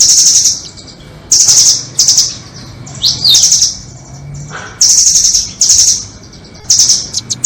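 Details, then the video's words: Nuthatch trapping lure, doraemon and red-billed nuthatches: piercing high rattles repeated about every second, with a twisting swept phrase in the middle and a faint lower note, then near-silent pauses. "Pikat burung rambatan doraemon vs paruh merah"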